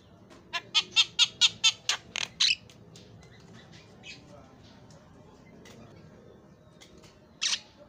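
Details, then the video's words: Javan myna sings isian (filler) song: a quick series of about nine harsh, buzzy notes over two seconds, then mostly low background with faint notes and one final loud rasp. "suara bedug takbiran jalak kebo suara isian"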